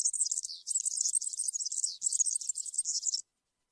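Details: Campero-style song of a European serin, used for teaching young birds: an unbroken run of fast, shrill, tinkling notes lasting about three seconds, then silence.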